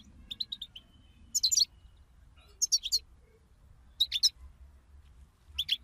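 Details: Group goldfinch chatter, a bitbita played to stir a pet European goldfinch to sing: a few soft chirps, then distinct bursts of rapid, sharp high twitters repeated about every one to one and a half seconds.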